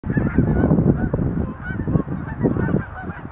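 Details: Sandhill cranes making display leaps at Montezuma National Wildlife Refuge visitor center, November 2020: many overlapping rolling, rattling calls form a dense chorus, with heavy low rumbling bursts throughout.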